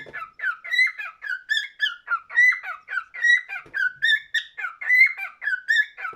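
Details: Cockatiel song heard indoors: bright whistled phrases with up-sweeping and down-sliding notes, delivered in quick rhythmic bursts with a faint low thump near the start.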